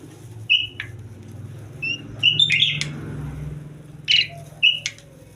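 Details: Asian pied starling in breeding condition, giving loud, clear whistled notes spaced about half a second to a second apart, some with a harsh buzzy edge, over a faint low hum.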